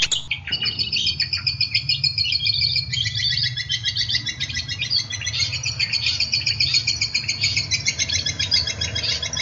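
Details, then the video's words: Cendet, or long-tailed shrike, in a masteran training recording for singing and contest birds: a dense, continuous high chatter of scratchy notes and chirps. The chatter starts after a short sharp opening note, with a low hum underneath. "MASTERAN CENDET GACOR MANTAP"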